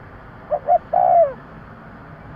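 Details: A single spotted dove phrase used as a lure: two soft short coos and then a long, smooth coo that slides downward, with the start of another note at the end.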